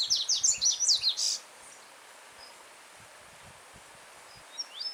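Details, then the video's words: Loud phrase from a free yellow-bellied seedeater in natural surroundings: about a dozen rapid, piercing, high notes over just over a second. Then a stream's steady murmur continues, with a few faint notes near the end. "Coleiro Baiano Cantando Forte com Som de Riacho ao Fundo"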